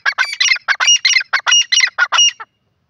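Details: Grey francolin calling: a burst of about a dozen sharp, grating notes in quick succession, bunched in twos and threes, ending abruptly after two and a half seconds with silence after.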